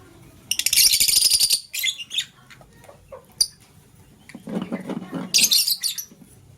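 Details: Lovebirds in the morning, a green one chirping while a blue one scrambles for vegetables; two loud bursts of dense, shrill, rapid chatter with scattered short squeaks between, possibly with some wing flutter.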